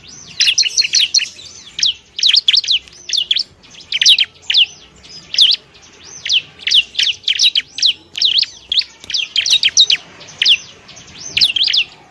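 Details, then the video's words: Training song of a Bar-winged prinia for tutoring other birds: a steady stream of shrill, steeply slurred chirps, grouped in quick clusters of two to five that repeat with hardly a break for twelve seconds. "masteran burung ciblek"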